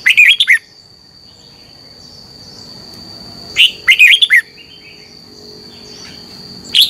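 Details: Red-whiskered bulbul morning song in competition style, meant to stir other birds: a short chattering warble, a long pause, then a longer phrase of quick rising and falling notes, and a final chirp, over a steady hum.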